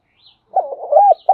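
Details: Brief fragment of spotted dove lure cooing, used to attract wild doves: a wavering run of low coos leading into a smooth held note, cut off by the next phrase.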